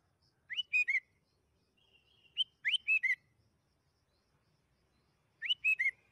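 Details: Sooty-headed bulbul heard in a lure recording meant to make kept birds sing quickly. A short liquid phrase of three or four whistled notes, a rising slur and then two falling notes, is repeated three times with pauses of about two seconds.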